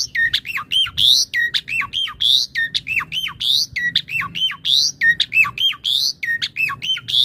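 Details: An Asian pied starling repeats one squawky phrase over and over, roughly every half to one second: sharp high chirps and looping slurred notes, sung as tutor material to train and provoke other starlings.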